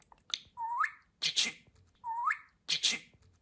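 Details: Talking pet budgerigar: twice a rising, upward-sweeping whistle is followed by a burst of rough, hissy syllables, the pair repeating about every one and a half seconds.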